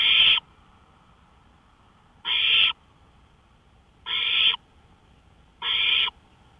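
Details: Owl heard from a porch on May 5, 2013 at 1:53 AM, making four harsh, airy hisses of under half a second each, separated by gaps of about two seconds of near silence.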